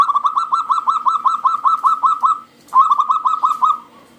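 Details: Local zebra dove singing loudly, used as a lure to prompt other doves to sing: a rapid staccato run of short mid-pitched cooing notes, about five per second, a brief pause, then the series resumes.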